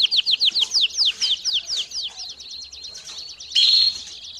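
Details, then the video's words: Domestic canary song used for training young birds: about a dozen distinct swept notes repeated quickly, speeding into a softer trill, then a short loud buzzy burst. "CANÁRIO DO REINO CANTANDO E CHAMANDO ÓTIMO TREINO PARA FILHOTES!!!"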